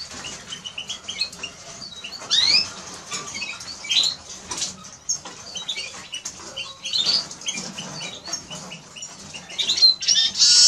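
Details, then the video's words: Eurasian siskin song: fast, high twittering broken by several bright upward-sweeping wheezy notes. Bursts of chatter recur throughout about ten seconds. "Eurasian siskin Song -Spinus Spinus -Scatiu"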